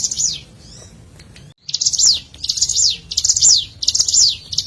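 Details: Hill prinia (ciblek gunung), natural sound played as a lure: loud, grating high phrases with steep downward sweeps, repeated about every half second after a brief quiet start.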